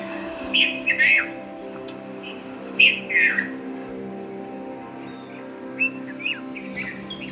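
Red-vented Bulbul giving short, bubbly chirped phrases in two clusters, with a few thin whistles after; soft background music throughout.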